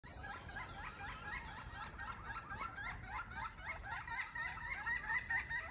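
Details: Three pileated woodpeckers calling back and forth in an animated exchange on a large oak tree; a steady stream of loud, laughing, clucking notes, rapidly repeated and slightly uneven, rising and falling over a faint background hum.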